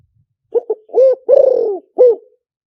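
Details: Spotted dove decoy call for luring: a soft double note, then a full coo, a long slightly quavering descending coo and a last short coo, with the whole phrase lasting under two seconds.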